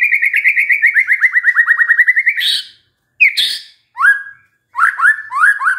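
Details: White-rumped shama pancingan lure song meant to trigger a stressed shama: a rapid even string of sliding notes gradually falling, then harsh chattering bursts and swooping whistled notes.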